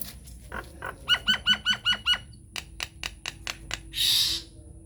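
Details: Nias hill myna lure song meant to prompt silent mynas to answer, recorded unedited: a run of six loud, evenly spaced harmonic notes, then sharp clicking strokes and a closing harsh burst, with a steady high whine throughout.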